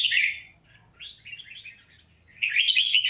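A red-whiskered bulbul sings three bright, warbling bursts of liquid, chirpy notes at mid-high pitch, the last phrase loudest and fullest, with only faint room hum beneath.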